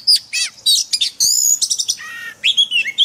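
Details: Oriental magpie-robin in song training with forest-style song sings a rich, fast string of clear whistles, slurred buzzy notes and sharp chirps, shifting pitch from phrase to phrase with brief pauses.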